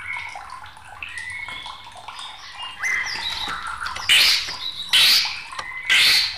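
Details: Agitated white-rumped shama singing for a tutor and lure recording: soft warbled whistles at first, then loud harsh rasping bursts repeated roughly every second near the end.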